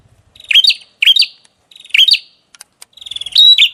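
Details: Songbird from a masteran recording of a gacor singer: four short chirpy, warbled phrases in quick succession, each a cluster of bright notes, with a few soft clicks between, in an otherwise quiet background.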